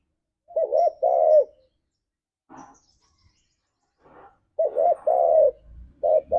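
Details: Spotted dove cooing, used as a 'ngalas'-style lure to set caged doves singing: a paired deep coo phrase, brief soft notes, then the coo phrase repeated with a final coo.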